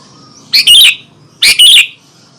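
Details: Sooty-headed bulbul calling to provoke other bulbuls: two loud, harsh double-note bursts, each about half a second long and spaced about a second apart, over a quiet background.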